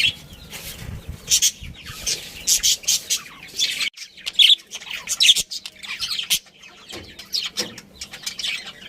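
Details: Breeding pair of budgerigars with family, sounding sharp high chirps and short squawky notes in irregular clusters, separated by brief quiet moments.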